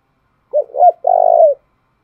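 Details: Spotted dove decoy bird singing an intense coo used to stir newly caught birds during training: two short hooting notes, then a longer rolling, vibrating coo that falls at the end. The background is silent.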